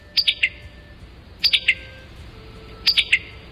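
Summer Tanager giving its sharp, clipped pit-ta-tuck call, repeated about every second and a half.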